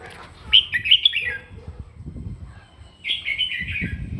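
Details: Red-whiskered bulbul singing its fighting song in the morning for voice practice: two warbled phrases of quick, rising and falling whistles, the second longer and more slurred, over soft low rumbling background noise.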